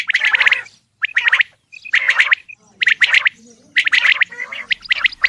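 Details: Male Coturnix quail calling: bursts of harsh, rapid, buzzy notes, each about half a second long, repeated roughly once a second with short silent gaps between them.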